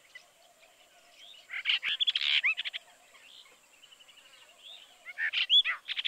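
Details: Brahminy starling in Kaohsiung City, 16 June 2020: two bursts of chattering, gurgled and buzzy notes with a clear upslurred whistle, separated by a quieter stretch of soft, rapid ticking chatter and a faint steady background hiss.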